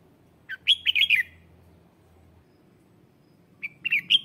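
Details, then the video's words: Red-whiskered bulbul used as a lure for wild birds, giving a loud rapid warbled phrase, then a pause of about two seconds before another phrase begins, over low background rumble. "Tiếng chào mào mồi hót gọi bổi má trắng, kích bổi sổ bọng hót căng lửa"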